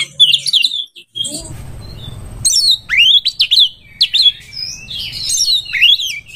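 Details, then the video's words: Oriental magpie-robin, kacer, singing to seek a rival to fight: loud, varied whistled phrases with rising sweeps, sharp chirps and rapid twitters between short pauses, a soft rumble partway through. "CARI LAWAN TARUNG ⚪ RELAKSASI KACER SUSAH BUNYI BIKIN BERKICAU PANJANG"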